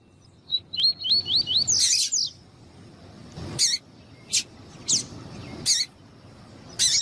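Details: Female double-collared seedeater (Sporophila caerulescens) calling a lot, used to warm up and excite males: a quick run of thin rising chirps, then high sharp peeping notes repeated about every second.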